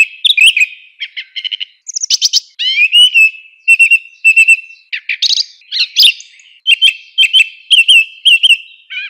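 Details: Bright song of a song thrush with short whistled phrases, some repeated two or three times, mixed with rapid ticking trills and a steady high whistle.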